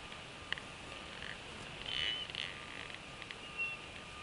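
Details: Bald eagle nest in Northeast Florida, an adult female sharing a fish with two eaglets hatched in December 2015; thin high whistled peeps, one drawn-out note near midway and a shorter one near the end, over steady hiss.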